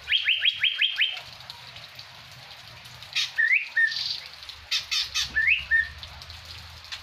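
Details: Blue-winged leafbird from Surat mimicking a greater green leafbird's song: a quick burst of rising whistled notes, then scattered short upslurred whistles between sharp clicks and tapping sounds.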